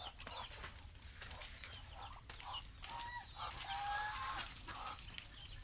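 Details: Geese on a farm in Asia give drawn-out nasal honking calls amid a crowd of high, thin peeping chirps from other fowl, with a low engine-like rumble underneath.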